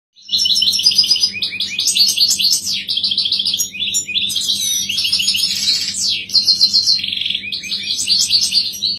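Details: European goldfinch (Moroccan, wild), tagged as a female's call, giving a rapid, liquid twittering of high tinkling notes and short trills with quick rising and falling slurs, steady and continuous; a low hum underneath.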